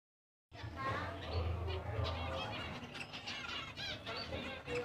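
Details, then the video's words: Zebra finch flock chattering, short nasal toy-trumpet beeps overlapping several times a second over a low rumbling background. "burung emprit zebra - suara burung di alam liar"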